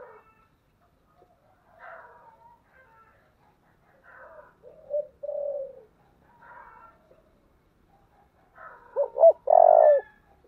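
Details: Spotted dove of 'giọng thổ' voice style giving 'thúc' and 'gáy gọi' coos: scattered soft murmured coos, a mid-volume double coo, then a loud phrase of stuttering short hoots and a long throbbing final coo.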